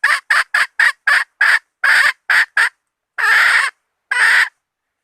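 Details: Bait call of a hen: nine quick, harsh clucks in a fast, slightly uneven series, then a pause, a longer drawn squawk, another gap and a final lengthened squawk.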